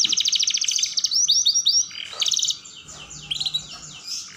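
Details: Rolling canary song meant to train young canaries: it opens with a rapid pulsed trill, shifts to a run of bright downswept notes, then softer twittering phrases fade out.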